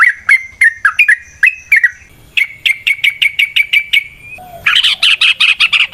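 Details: Yellow-vented bulbul in fighting song, meant to make other bulbuls emotional and vocal: liquid chirping notes, then a rapid run of evenly spaced sharp notes, ending in a harsher, noisier chattering burst.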